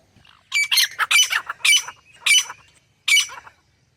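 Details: Grey francolin with a short burst of rasping, shrill notes, several clustered closely and then two more spaced out, against a quiet background.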